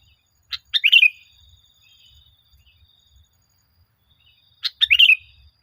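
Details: Sooty-headed bulbul (kutilang) singing briskly, recorded as a lure to train caged birds: a sharp note, then a quick rolling, bubbly phrase, repeated once after roughly four seconds; faint low rumbles between.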